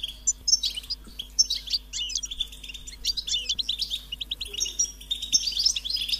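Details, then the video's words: European goldfinch chicks begging their parents to be fed with a high-pitched, insistent call: dense, rapid twittering chirps in quick bursts, high and thin, continuing nonstop over a faint low hum. "stimulating goldfinch and chirping birds"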